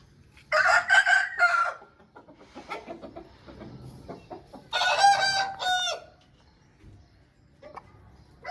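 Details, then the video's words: Aseel rooster gives two hoarse, drawn-out crows about four seconds apart, with soft clucks and low farmyard noise in between. "Aseel Bird Sound Effect"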